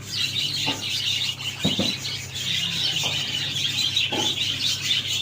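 Budgerigars chatter in a steady, high warbling stream of squeaks and chirps.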